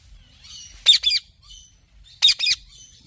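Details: Parrot giving two loud, harsh doubled screeches about 1.3 seconds apart, with faint softer whistling notes around them in a quiet room.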